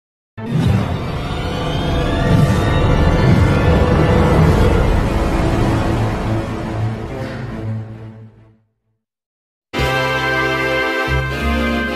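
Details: Loud dramatic music plays, stops briefly, then resumes, with no animal sound.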